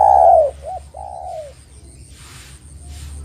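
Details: Spotted dove, Java, Indonesia, calling as a lure for trapping: one long falling coo, a short dipped note and a softer drawn coo, then quiet with faint rustling and hum.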